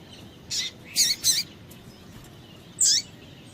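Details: A female double-collared seedeater calls to excite males: a soft chirp followed by two loud, sharp, high chirps in quick succession, then a pause and one more bright chirp.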